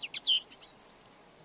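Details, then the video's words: Red-backed shrike singing: a short burst of scratchy high notes, a clear level whistle, then a thin drawn-out squeak, all within about a second. "Red backed Shrike · Lanius collurio - song"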